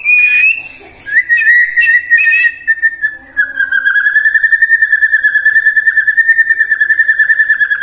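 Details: Caged white-rumped shama song used to prompt singing in the morning, midday and afternoon: sharp whistles, then a long, steady, slightly warbling whistled tone pulsing rapidly, many times per second.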